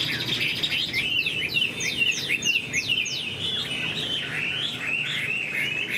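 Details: Chinese hwamei kept in a cage while moulting, singing sweeping downward-slurred whistles in quick series, then a steady warbling run of rich whistled notes.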